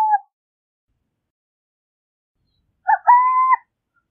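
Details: A Burrowing owl (Athene cunicularia) gives its song. The tail of one phrase is heard first, then a full phrase of a short hoot followed by a long steady coo, with quiet between.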